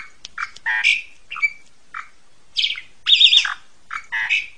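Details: Harsh, grating squawks and croaky chatter from an Asian pied starling, recorded as ngentrok therapy for home-kept magpie robins, with separate bursts and short pauses between them.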